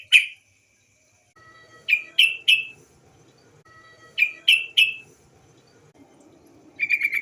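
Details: Female yellow-vented bulbul calling, used to lure other bulbuls into song. Sharp rising chips come in groups of three, ending in a fast rattling chatter, over a faint low murmur.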